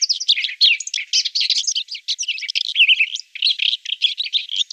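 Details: Red-backed shrike from central Brabant, Netherlands, pouring out a dense, busy warble of squeaky, scratchy notes and quick chirps with barely a pause.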